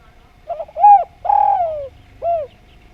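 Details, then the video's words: Spotted dove (derkuku Djawa) singing persistently with a melodious voice: three low, hollow coos, a short rising note, a longer rough descending coo, then a brief falling coo, over a faint steady hum. "Derkuku Djawa Gacor Suara Nglaras"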